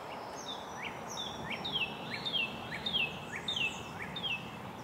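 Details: At an American robin nest during feeding of the nestlings, soft rising peeps alternate with brighter downward-slurred chirps, repeated steadily about every half second over a hushed background.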